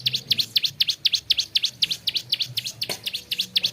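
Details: Bar-winged prinia, known locally as ciblek sawah, in energetic gacor song: rapid high V-shaped chips repeated about four per second in a steady rhythm, with one brief click partway through.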